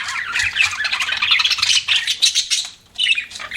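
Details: Pet budgerigars chattering nonstop: loud, scratchy warbled chirps and squawks overlapping in a dense stream, with a brief lull near the three-second mark before the chatter resumes.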